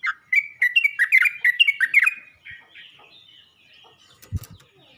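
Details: Yellow-vented bulbul calling other bulbuls: a quick run of bubbly, warbling chirps for about two seconds, then quieter notes and a low knock.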